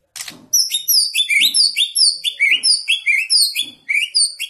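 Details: White-rumped shama singing in fighter style: rapid series of clear, loud whistled slurs sweeping down then up, repeated about every third of a second, each note ringing and sharp with faint knocking underneath.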